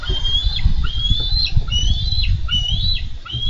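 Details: Bald eagle pair at a Minnesota nest camera on 4 July 2013, fighting over a delivered carp. Piercing high whistles, each sliding up then snapping down, repeat about twice a second above heavy low rumbling.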